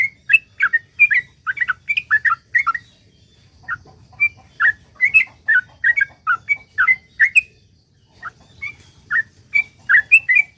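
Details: Energetic yellow-vented bulbul in a long rapid song, used to prompt other bulbuls into singing; quick liquid whistled notes in bursts, a brief pause near the middle, then renewed fast chattering phrases over a soft low rumble.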